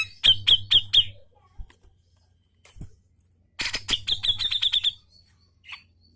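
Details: Grey-cheeked bulbul in lively song: four sharp emphatic notes, a short pause, then a harsh burst rolling into a fast, level trill of repeated piercing notes.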